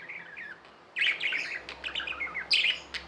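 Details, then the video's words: Pet budgies give a soft warble, then burst into louder rasping chatter and rippling chirps, with a sharp high note near the end. "Budgies | Talking | Singing | Chirping sounds"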